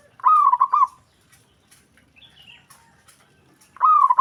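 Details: Zebra dove call that draws an immediate response from other doves: a rapid, bubbling phrase of staccato coos at the start, a thin faint whistle in the pause, then the same rolling coo phrase again about three seconds later.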